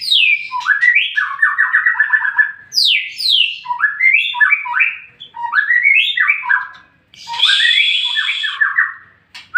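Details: White-rumped shama song used to provoke replies from other shamas: repeated phrases opening with a high downward slur followed by quick rising, stuttering whistled notes, separated by brief pauses.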